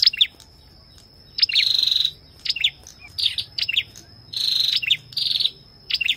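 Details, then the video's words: Ashy tailorbird song with a female's calls: bright, high chirping phrases in short bursts about every second, mixed with harsher buzzy notes, over a steady thin high whine. "Tiếng chim Sâu đầu đỏ hót kèm tiếng Mái | Chích bông nâu ✅Ashy Tailorbird call | นกกระจิบหัวแดง"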